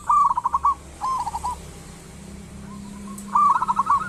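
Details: Local zebra dove singing a lure song used to make other doves call: three quick rattling coo phrases, the first and last loud and trilled, with a quiet coo and a steady low hum in between.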